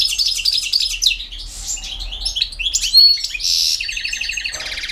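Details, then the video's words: Campero song from a European goldfinch, mixing tinkling notes, buzzy rasping bursts and a closing rapid, evenly spaced trill. "El Jilguero BiH 15"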